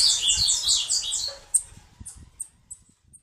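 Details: Bananaquit singing canto de foguear: a quick, tumbling phrase of thin, high, buzzy twitters, followed by a few isolated sharp high chips fading away.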